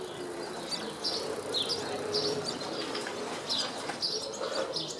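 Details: Barn swallow twittering in a Zagreb street, Croatia, 24 May 2014: quick bursts of high buzzy chirps and warbled notes, several per second, over a noisy urban background.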